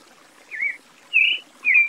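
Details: Song of a Creamy-bellied Thrush: three short, clear whistled notes spaced about half a second apart, each slightly slurred, the later ones louder, over a quiet hissy background.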